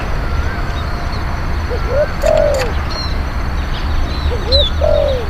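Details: Spotted dove decoy used for luring wild doves: two phrases of soft rising coos ending in a longer falling coo, quieter over steady low-pitched background noise and faint higher chirps.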